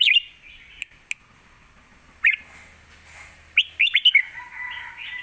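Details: Fierce Lak Wai song from a caged red-whiskered bulbul, a master song for training young birds; short warbled bursts open and recur midway, then a rapid string of bright, swooping notes, with scattered sharp clicks between phrases.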